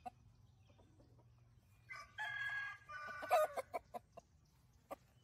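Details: A rooster on a rural farm gives one harsh, drawn-out crow that breaks and falls at the end, then a few short clucks over a low background hum.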